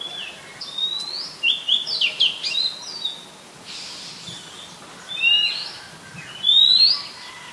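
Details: Oriental magpie-robin singing in Ubon Ratchathani, Thailand, 18 April 2022, recorded on a Nikon P1000: varied phrases of chirps, slurred whistles and short trills, ending with a bright rising whistle.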